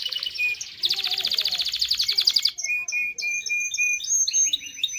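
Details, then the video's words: Canary song played to get both sexes ready for mating: a fast, dense rattling trill, followed by steady clear whistled notes and higher piping tones. "تغريد كناري لتدريب ذكور واناث الكناري على التزاوج. صوت كناري لتزوج .. Canary singing"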